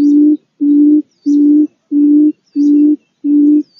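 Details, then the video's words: Barred buttonquail: a steady series of low, hollow, even-pitched hoots, each about a third of a second long, repeated regularly about every two-thirds of a second, with faint high chirps in the background. "សំលេងសត្វក្រូច1000% เสียงนกคุ้มอืด1000%"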